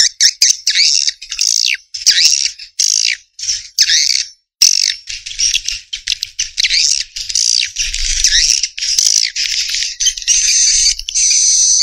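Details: Swiftlet chattering in rapid, high, buzzy twittering phrases with wavering notes, separated by brief gaps. A faint low rumble lies beneath.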